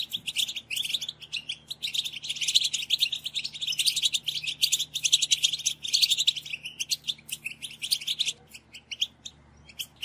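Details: Chorus of European goldfinches giving excited group twittering, used to encourage males to sing and to breed: an almost continuous, dense, high-pitched chatter of trills and chips that thins out near the end.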